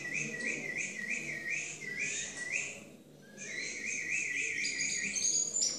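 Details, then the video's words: A competing Timbrado canary sings somewhat faintly, with repeated short rising chirps in rolling series and a brief pause midway. It ends on higher, sharper whistled notes. "CANTO DE MIS TIMBRADOS EN CONCURSO"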